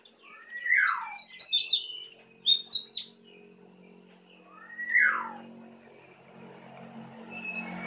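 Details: Learning to sing ngeplong, a young native Bali white-eye delivers a quick cluster of high chirps with a falling whistle, then a second slurred note over a steady low hum.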